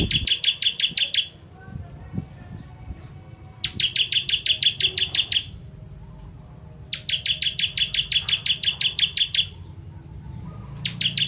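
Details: Bar-winged prinia of the ciblek kristal sort giving 'tembakan pedas' bursts for tutoring songbirds: four separate strings of quick, piercing high chips, each about two seconds long, divided by quieter gaps with soft clicks and low hum.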